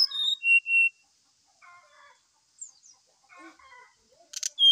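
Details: Brown-chested jungle flycatcher singing energetically in the morning, used as a lure to prompt another bird to sing: clear whistled notes near the start, then soft warbled chatter and a sharp high burst at the end.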